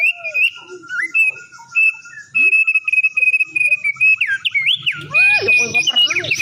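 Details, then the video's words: Black-winged starling in lively song: steady level whistles and upward slurs, then faster looping whistled phrases mixed with harsh scratchy notes toward the end. "Opior Suwara Unik Gacor"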